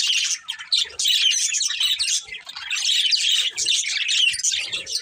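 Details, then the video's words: Pet budgerigars of a budgie family chirping: busy scratchy warbles and sharp high tweets in overlapping bursts, a couple of short dips, and faint soft clicks below. "Cute Budgies Chirping Sounds"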